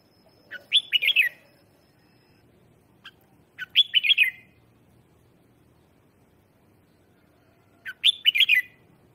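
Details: Red-whiskered bulbul singing as a lure to call wild birds: three similar short phrases of five or six quick, liquid, warbling notes, each set apart by several seconds of near silence.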